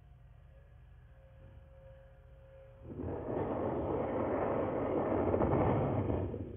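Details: No animal sound: a low engine rumble with a steady tone for about three seconds, then louder broadband roaring noise like a passing vehicle or aircraft fills the rest.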